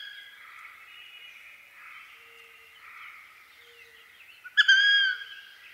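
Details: Wood duck of eastern North America: after a few seconds of quiet, soft background hiss, one loud, sudden, rising squeal bursts out near the end, holding briefly before fading.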